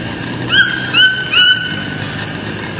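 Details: Toucans on a farm yelping: three loud, rising, harmonic-rich notes roughly every half second, with another beginning at the very end.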